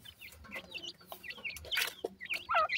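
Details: Several partridge chicks feeding call with quick, high, hooked peeps, often in pairs, with a louder burst near the end and light tapping from pecking.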